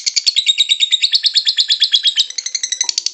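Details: Lovebird ngekek song played to prompt a lovebird to sing: rapid, evenly pulsed high chattering notes with a buzzy, ringing quality, speeding up slightly toward the end.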